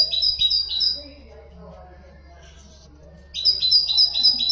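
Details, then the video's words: Song of a common nightingale, used for tutoring goldfinches and canaries. A burst of bright paired whistles opens, a quiet gap follows, then the rapid repeated high notes return. "تغريد طائر الحداد"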